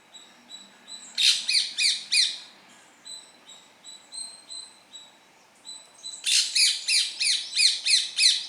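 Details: Indian parrot perched in a tree among greenery in a natural setting, giving two bursts of harsh, rapid screeching notes, about four and then eight, with a thin, steady, high pulsing whistle continuing between them.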